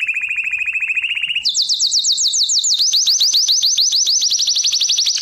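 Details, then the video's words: Canary singing lesson: a fast, even low trill for over a second, then a higher rolling series of rapid sweeps repeated several times per second to the end. "Canary Singing - lesson 33"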